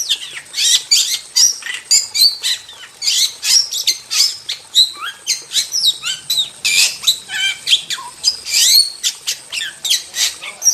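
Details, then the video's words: Wild starling in full, unrelenting song, a busy tumble of harsh squawks, thin high whistles, clicks and sweeping slurred notes crowded tightly from start to finish. "Masteran Jalak Super Gacor – Ultimate Wild Starling Sound Effect"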